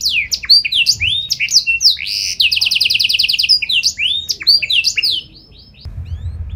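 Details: Canary singing constantly with special ornamented phrasing that prompts other canaries to reply; a varied run of quick swooping high whistles breaks into a rapid rattling trill, then more twisting notes before falling quiet.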